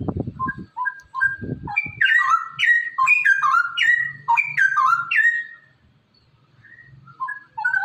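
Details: Straw-headed bulbul song, used to stimulate other bulbuls to sing: loud, rich, bubbling whistled phrases swooping up and down in quick succession, with a few low thumps at the start.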